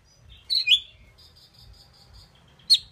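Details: A talking pied myna gives two harsh, squeaky chirps, then a run of soft, high repeated notes and a final sharp chirp, over a faint low indoor hum.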